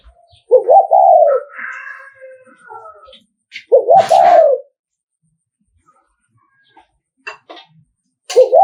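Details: Spotted dove of the Nghệ An type, Vietnam, a decoy bird cooing to provoke and lure rival males. Rough, throaty coo phrases that rise, then fall and trail off, repeated about three seconds apart, with faint rustling and clicks between.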